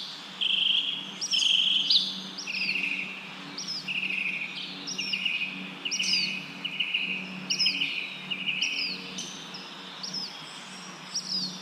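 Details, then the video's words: Wind in leaves and a chirping bird: repeated short rising-then-falling high notes alternating with fast rattled trills, roughly one phrase per second, over a low hum and breezy background. "Wind blows leaves, leaves bird chirping sound"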